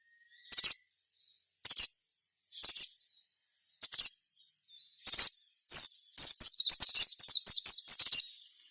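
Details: High sharp chip notes spaced about a second apart from a crimson sunbird, used to provoke other birds into song, building into a quick run of squeaky down-slurred whistles at the end.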